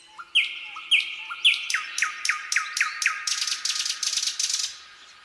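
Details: Common nightingale singing in a quiet pine forest in spring, 2024: three rising whistled notes, then a run of quick repeated clipped notes that speed up, ending in a burst of harsh buzzy notes.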